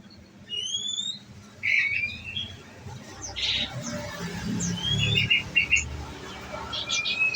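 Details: Caged olive-backed sunbird on nectar giving fast 'nembak' song: thin high whistles, a sharp chip series, then quick repeated high notes over low background rumble.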